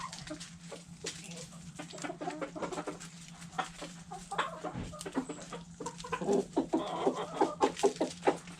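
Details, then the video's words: Backyard chickens feeding on food scraps: rapid dry pecking taps for several seconds, then a run of low, murmuring clucks building toward the end over a constant low background hum. "Hens Clucking Roosters Crowing"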